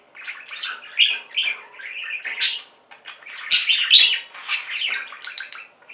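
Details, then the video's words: Budgerigars singing together in busy, overlapping warbles: rapid chirps, buzzy trills and a few sharp high notes, with near-constant chatter. "Most Beautiful Budgie songs Ever: Budgies singing and chirping"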